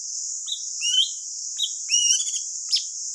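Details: Thanh tước bird song played to lure birds into traps: scattered brief chirps and upslurred whistled notes at irregular intervals, set against a continuous shrill high-pitched buzz in the background.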